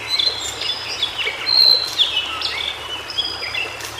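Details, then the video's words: White-browed shortwing in its natural habitat giving thin, high whistles: long level notes and short downslurred ones strung into a loose, varied warble, with a faint hiss throughout. "Suara Burung Cingcoang Biru Di Habitat Aslinya"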